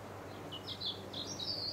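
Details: Great tit at a nest box at sunset on 2 May 2016, with the young hatched; high thin chirps and short whistled notes, a quick broken run of several slurred tweets over steady background noise.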